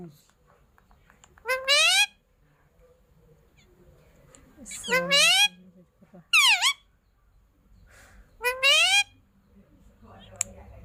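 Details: Parrot giving four separate loud, harmonic squawks with sliding pitch, mostly falling, spaced a few seconds apart, with faint room noise between them.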